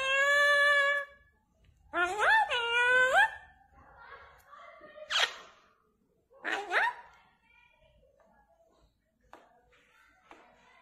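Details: Parrot with a varied series of calls: a level tone, a wavering rising cry, two sharp screeches several seconds apart, then faint clicks and soft chatter.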